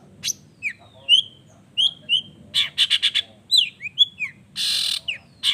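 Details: Singing long-tailed shrike: varied whistled slurs, some rising and some falling, mixed with short clusters of harsh rasping notes and one long buzzy grating burst near the end.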